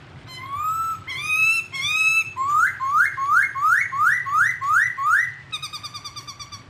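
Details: Unusual songbird from a clear master recording for training cage birds. Steady whistled notes lead into a fast series of rising whistles, then a rapid high twittering trill, over a low background hum.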